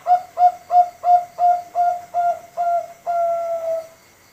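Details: Five-month-old Bangkok-type zebra dove of contest quality, kept to coax other doves into singing: eight quick, evenly spaced hollow coos, each slightly falling, then a longer drawn-out final note, clean with no other sounds.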